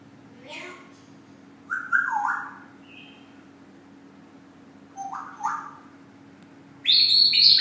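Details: A pet Congo African grey parrot gives short whistled and chattering phrases, some sliding downward, ending in a loud, harsh, ringing squawk over faint steady hum; recorded April 2013. Grey parrot.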